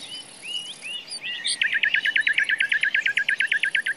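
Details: Common nightingale in a forest, singing soft slurred whistles that lead into a long, very regular trill of about twenty loud, sharp notes repeated roughly three times a second.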